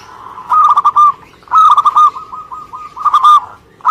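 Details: Indonesian local zebra dove delivering bubbling, pulsed coo phrases, one short burst followed by a longer stuttering run of soft repeated notes trailing off, then another brief phrase.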